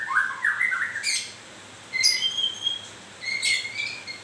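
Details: Moulting white-rumped shama giving a warbled low whistle run, then separate bursts of high sharp notes and ringing whistles with brief pauses between phrases.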